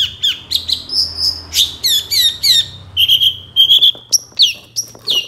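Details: Master recording of a long-tailed shrike (cendet) for training songbirds: a continuous flow of clear, high whistled and chirped notes with varied rising and falling slurs, delivered quickly.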